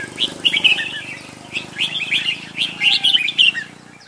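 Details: Red-whiskered bulbul giving quick chattering chirps in short clusters, bright and scratchy, with a soft low hum underneath and a faint thin whistle near the end.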